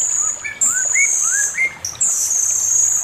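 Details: Male Chinese hwamei master song: a series of rising, slurred whistles climbing in pitch over a steady high hissing background tone.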